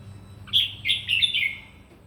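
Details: Morning fighting song of a red-whiskered bulbul, sung for voice training: one quick run of bright, slurred whistles that rise and then fall away, over faint low background hum.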